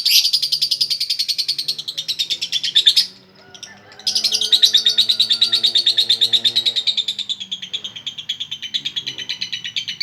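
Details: Lengthy konslet-style song from a female lovebird: dense, high, buzzy chattering pulses that run for three seconds, break off briefly, then resume and carry on steadily, slowly dropping in pitch.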